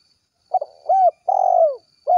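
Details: Spotted dove (tekukur), 'gacor kuk 1' call meant to draw its companions: a quick stuttering note, a rounded hoot, then a long purring coo falling at the end, with the next hoot beginning as it closes.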